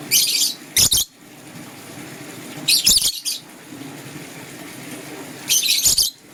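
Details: Green and blue lovebirds chirping in the morning, giving three short bursts of harsh, high chirps spaced a couple of seconds apart over a quiet indoor background.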